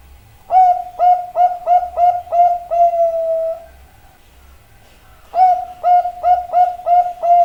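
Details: Zebra dove delivers seven rapid mellow coos and a long held closing note. After about two seconds of quiet, another fast run of six coos starts.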